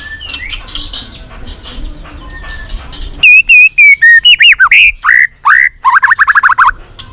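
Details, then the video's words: White-rumped shama training song meant to excite other shamas to sing: faint, soft warbling at first, then loud, clear, swooping whistles and a final quick trill of short notes. "Kích Chòe lửa hót nhiều giọng"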